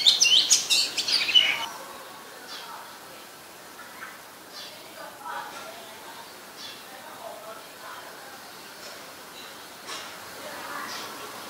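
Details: In Ubon Ratchathani, Thailand, on 15 March 2021, a common myna gives a loud burst of harsh, chattering high notes, then scattered fainter squeaks and clicks over a quiet background.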